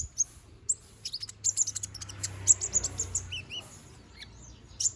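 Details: Konin bird, a young bird growing new feathers, chattering energetically: dense clusters of piercing high chirps, then a pair of lower, slurred whistled notes near the end, over quiet background noise.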